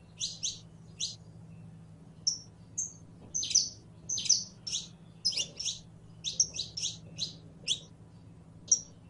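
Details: Saffron finch singing: a lively string of short, sharp chirped notes, some doubled, others brief clear whistles, delivered in quick bursts with small pauses over about nine seconds; a low steady hum runs underneath.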